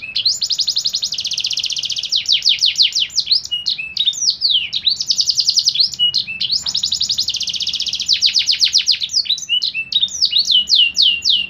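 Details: Canary singing in a contest, delivering long rapid trills and rolling buzzy phrases broken by short sweeping whistled notes, phrases repeating back to back with barely a pause; faint low hum underneath.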